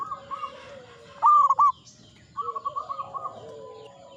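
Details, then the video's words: Mature local zebra dove in song. One loud, clipped, rolling coo phrase sits between softer series of rapid cooing notes from nearby doves. "PERKUTUT LOKAL GACOR, MANGGUNG MENTAL TUA BANGKA"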